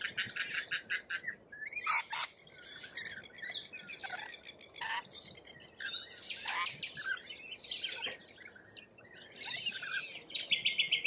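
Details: Lorikeets in Australia keep up a busy, irregular chatter of shrill, buzzy screeches and thin squeaks, with several birds seemingly overlapping and brief pauses between bursts.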